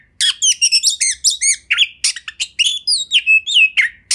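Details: Kacer master song for training: rapid, rich sequence of sharp chirps, rising and falling whistles and a few drawn-out clear notes, delivered nearly continuously without background noise.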